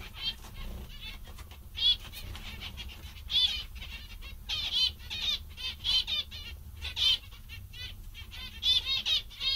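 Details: Contented zebra finches, said to be cheerful and amusing today, utter nasal, trumpet-like beeps singly and in rapid clusters, loud peaks every second or so amid softer chatter and a faint background hum.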